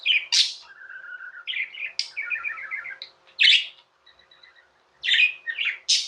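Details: Pet budgerigars chirping: high sharp squeaks mixed with fast, buzzy warbled phrases and soft whistled notes, several short pauses between bursts, faint steady background hum.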